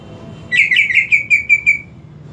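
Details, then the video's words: Greater green leafbird song used to coax a leafbird that will not sing: a rapid string of about eight clear, high whistled notes, evenly spaced and slowly fading at the end. "PANCINGAN UNTUK CUCAK IJO TAK KUNJUNG BERKICAU"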